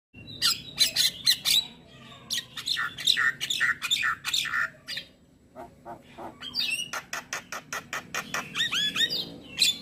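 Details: Black-winged myna training song intended for morning playback: loud harsh squawks and grating chatter in bursts, a short pause, then a fast regular series of sharp clicks ending in whistled slurred notes.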